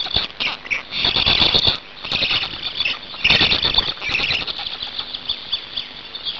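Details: Black storks on their Hungarian nest, 8 May 2019, swapping places and feeding. Two strong bursts of high, hissing squeals with dense rattling, plus wing-flapping noise, then quieter scattered clicks.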